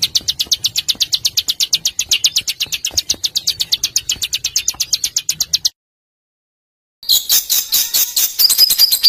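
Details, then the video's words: Small songbird (burcil) in a harsh 'besetan' tutor recording for training caged and contest birds: a rapid, even string of high buzzy ticks at about three per second, a sudden silence, then a dense harsh burst of scratchy notes. "Suara Masteran Burcil Besetan Kasar"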